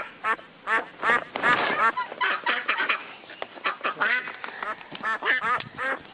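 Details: Ducks or ducklings on a pond give a rapid run of short, nasal quacks, several each second, some rising at the end, with a few overlapping calls from others nearby.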